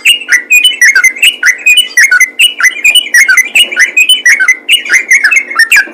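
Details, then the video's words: Trucukan, or yellow-vented bulbul, in full ropel gacor song: nonstop chattering run of short warbled, rolling whistles, rising and falling notes crowding one another with crisp high accents, clear against a quiet background. "BURUNG TRUCUKAN ROPEL GACOR"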